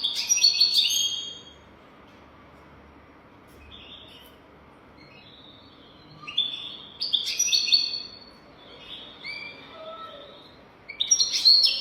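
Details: European goldfinch tutoring song in the 'golden throat' style: three loud bursts of rapid, tinkling twitter, with short high chirps in the quieter gaps between them.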